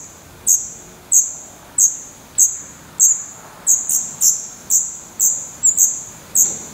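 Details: Black redstart chicks in a nest in Portugal, 16 May 2020, eyes already open, camera placed close to the nest; about eleven thin, very high, sharp calls in under seven seconds, unevenly spaced, some doubled, over a quiet background.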